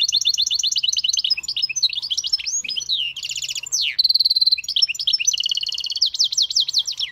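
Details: Continuous lively song of a hybrid bird: rapid chattering runs, a sweeping whistled glide, a bright ringing trill and more fast rolling notes, loud and close.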